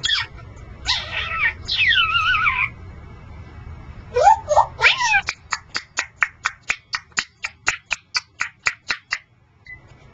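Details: Pet male Congo African grey parrot indoors makes looping warbled whistles, then a fast run of sharp clicks repeated several times a second for about five seconds, ending with a faint short tone.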